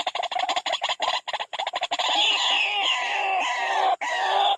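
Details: White-breasted waterhen attacking a rival at a bird trap: fast run of short croaking notes that merges after two seconds into a continuous, loud, rough harsh chatter with buzzy overtones.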